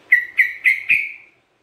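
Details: Sooty-headed bulbul, singing gacor for use as a lure and therapy, gives four quick whistled notes in a row, each sliding down slightly and the last one trailing away.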